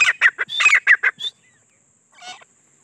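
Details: Grey francolin gives a quick cluster of about eight harsh, clipped notes in just over a second. A short, faint call follows after a pause.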